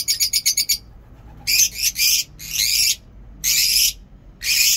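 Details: Lovebirds kept in a home aviary: a quick run of about six sharp chirps, then four harsh, buzzy, high screeches, each lasting about half a second and separated by short silences.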